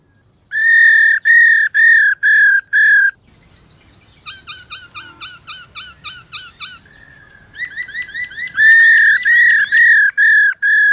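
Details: Female black-throated laughingthrush in captivity, calling to prompt males to sing. Loud, clear, harmonic whistled notes come in repeated bursts. A fast, even string of shorter, higher notes follows, then the loud whistles return.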